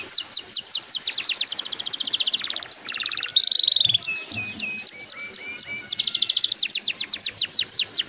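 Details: Canary singing, meant to coax young birds into song: dense high trills, a buzzy pulsed passage, steady level whistles, then a return to fast rattling repeated notes.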